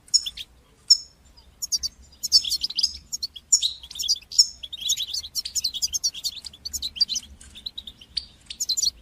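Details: European goldfinch song of the bitbata and sitsata type, used to encourage goldfinches and teach their young to sing; an almost unbroken, lively stream of high tinkling twitters, clear whistles and buzzy trills.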